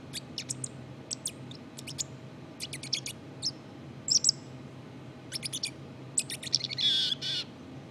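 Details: Quiet rambling subsong from a black-capped chickadee: scattered sharp high chips, brief twittery runs, and a longer rough buzzy note toward the end, with low-level hum in the background.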